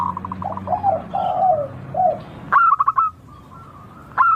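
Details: Zebra dove, local type, singing: low slurred coos first, then an abrupt stuttering run of quick notes that tapers into gentle spaced coos, with another burst at the end.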